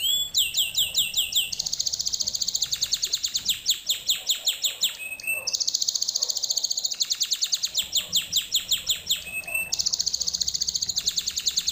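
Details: Canary song lesson for young birds to copy: continuous bright, rapid rolling trills, each phrase a run of identical notes a few per second, alternating between higher and lower trills.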